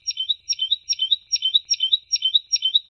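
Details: Tit song used as a training recording for goldfinches. A clear, bright phrase of high notes repeats seven times, roughly every 0.4 seconds, in a steady rhythmic series against silence.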